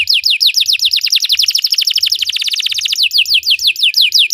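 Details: Belgian canary singing as a training model for canaries: a continuous stream of high falling whistles that quickens into a dense roll near the middle, then slows again.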